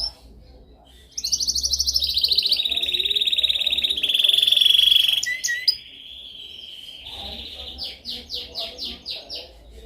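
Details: Canary training song: after a quiet start, a long rolling trill glides slowly downward, then a loud fast buzzy trill, a softer steady tone, and a closing series of evenly spaced rising chirps.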